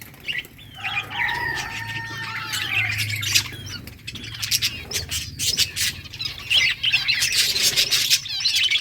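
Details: Budgerigars at play in a summer breeding colony: long rising warbles and whistled notes early, then dense overlapping chirps and scratchy squawks from several birds, over a faint low hum.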